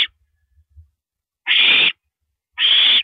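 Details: A female owl swallows a rabbit at 1:27 AM on April 9, 2012, on a live camera; after a clipped start and soft bumps, two long harsh hissing screeches sound about a second apart.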